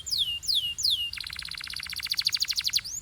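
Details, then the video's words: Canary singing in Belgian style: three clear, downward-curving whistles, then a fast even rolling trill of bright pulses lasting nearly two seconds. "This Canary’s Melody Makes All Birds Join In – Pure Belgian Singing"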